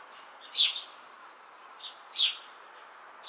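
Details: Eurasian tree sparrow chirping on a house beam: three short bright chirps, the first two close together, the third after a pause, over a steady low background hum.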